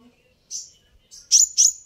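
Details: Brief sunbird sequence: a soft high note, then a rising pair of loud, sharp chips, played to stir sunbirds into calling back.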